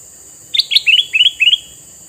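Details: A red-eyed male sooty-headed bulbul, kept to attract wild bulbuls, sings one quick cheerful phrase of two sharp opening notes followed by three doubled, rising chirps within about a second.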